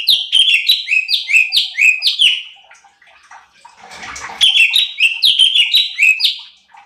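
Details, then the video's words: Cucak cungkok (light-vented bulbul) in lively song, a training recording meant to provoke other birds: rapid chains of bright, down-slurred chirping notes, a short pause with a rushing noise, then another fast burst. "CUCAK CUNGKOK GACOR || Pancingan Cucak Cungkok Malas Bunyi | Bikin Emosi Burung Lain"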